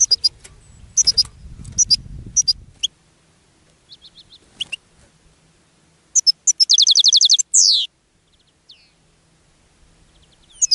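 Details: Caged European goldfinch singing and attracting other goldfinches: scattered high chirps, then a fast run of about eight ringing notes ending in a long falling buzzy sweep, with low rumbling noise early on.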